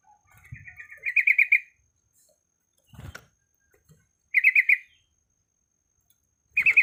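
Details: Female sooty-headed bulbul in breeding condition calling males, giving short bursts of four to five quick, bright bubbling notes every couple of seconds, separated by silence and an occasional dull knock.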